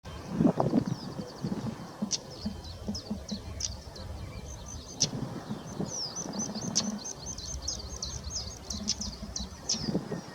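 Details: European stonechat family with three recently fledged young at Nightingale Ponds, 19 May 2024: thin, high, short calls repeated rapidly through the clip, over a steady low rumble of wind or distant traffic.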